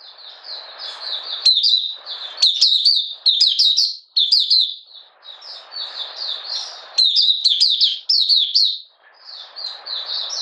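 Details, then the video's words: Oriental white-eye from Malaysia, caged, in minor moult and not in form, 31 July 2023, delivering buka sing: long runs of thin, twittering notes in several phrases above steady low hissing background noise. "Malaysian Mata Puteh Buka Sing"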